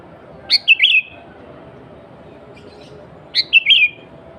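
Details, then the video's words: Kutilang or sooty-headed bulbul singing as a lure for other bulbuls: two matching phrases roughly three seconds apart, each a crisp opening note then quick gurgling whistles, a faint chirp between them. "Kutilang Gacor Suara Asli Tanpa Isian, Sangat Cocok Untuk Pancingan Kutilang Bahan Dan Ombyokan."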